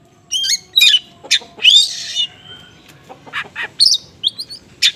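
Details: Oriental magpie-robin konslet song carrying small-bird material, used to provoke weakly responding magpie-robins; buzzy raspy phrases and slurred whistles, a level whistled note, then quieter scattered chips and bright upslurs.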